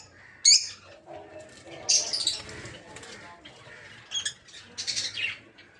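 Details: Peach-faced lovebirds of several colour mutations kept for breeding in an aviary; a few scattered shrill chirps and squeaky bursts rise above a quieter background, spaced roughly a second or two apart.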